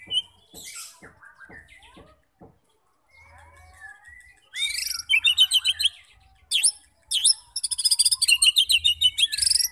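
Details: White-rumped shama singing to provoke fighter birds. Soft ticks and faint whistles give way to loud, buzzy high trills and rapid rattling phrases packed with chattering notes.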